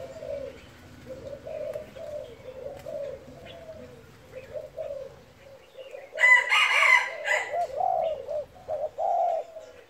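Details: Low, soft coos of a spotted dove run steadily in the gáy thúc and thúc gù manner. A loud, harsh, broad burst cuts in midway, resembling a fowl call, before the rhythmic cooing resumes.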